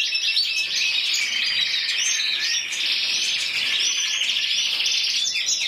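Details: Champion intense yellow canary from Spain, 2014, scored 94 points, singing individually: dense, high, rolling warble with quick repeated chirps running throughout.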